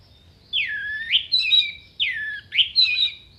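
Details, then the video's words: Orange-headed thrush in sharp, clear contest-style song: two long sweeping whistles, each dipping then rising, followed by a bright, higher warble, the pair repeated about 1.5 seconds apart. "MASTERAN ANIS MERAH GACOR FULL ISIAN TEMBAKAN TAJAM VOKAL JERNIH DURASI PANJANG ISIAN BURUNG LOMBA"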